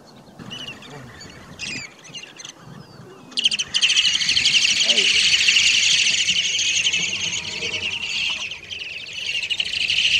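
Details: Short-billed Dowitchers, mostly of the hendersoni subspecies, feeding on floating mud at Marsh Boardwalk, Point Pelee National Park, Ontario, on 11 May 2019; after a quiet start, a dense, rapid chatter of high piping notes runs for about five seconds, then fades and returns faintly.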